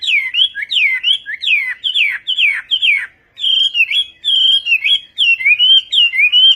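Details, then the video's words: A Chinese hwamei sings Vietnamese-style, repeating bright downslurred whistles about twice a second, then a brief pause and a run of even, level whistled notes with small wavering dips. "HỌA MI TÂY - TIẾNG HÓT VIỆT"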